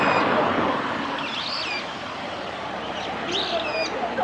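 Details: Japanese waxwing calling in Hiratsuka, Kanagawa, Japan, on 14 February 2021: thin, high, rising-and-falling call notes in short bursts over steady traffic noise, with a voice briefly heard.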